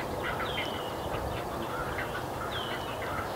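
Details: Great blue heron nestlings in north-central Massachusetts, USA, give harsh, nasal, quacking calls in quick, uneven bursts while their parents bring fish back to the nest, over a steady hiss of background noise.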